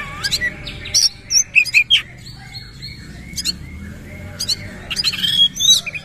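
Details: Kacer (Oriental magpie-robin) singing with tail spread, mixing rough 'isian' notes with whistles. Clipped, explosive chips and short whistled phrases are spaced by silences, and a quick cluster comes near the end.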